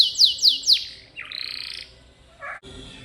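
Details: Canary singing in 'gacor' style, used as masteran tutor song for pet canaries: three loud descending whistled sweeps, then a buzzy sustained trill, then short lower notes and a soft chirp.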